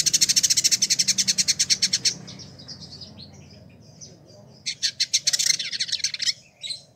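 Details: Village indigobird (Vidua chalybeata), a caged tutor bird kept a year in Bandung, West Java, Indonesia, singing actively. A long fast buzzy rattle fades into soft chatter, then a second scratchy run with squeaky notes.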